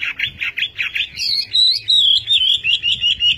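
A Chinese hwamei sings loud, rich whistled phrases: quick slurred notes at first, then a run of clear, repeated whistles, about two or three each second.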